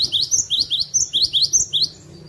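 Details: Cinereous tit song used to attract birds: a quick run of about a dozen sharp, high, downward-slurred notes delivered evenly over two seconds, then quiet with a faint low hum.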